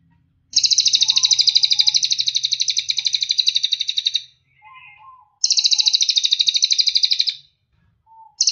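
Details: A cililin gives long, fast, high trills of buzzy repeated notes, each running about two seconds, with brief lower chirps in the pauses.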